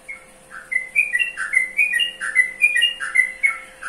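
A yellow-vented bulbul sings bright, bubbly whistled notes in quick chattering phrases, over a faint steady hum and a high hiss.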